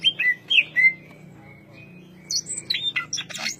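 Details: Greater green leafbird, ngentrok-style song: three loud, clear whistled notes with rising and falling inflections, a soft sustained whistle, then a rapid flurry of high, harsh chirps.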